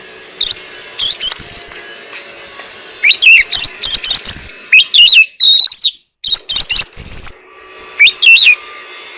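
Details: Oriental magpie-robin contest song over a constant background hiss and hum: clipped chattering notes and looping whistles in quick bursts, with a near-silent gap before the last phrases.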